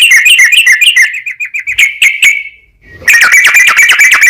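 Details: Lure recording of a sooty-headed bulbul in extended rapid song, meant to provoke other bulbuls into replying: quick repeated harsh chirps that slow and fade, a near-silent break, then a renewed loud chattering run.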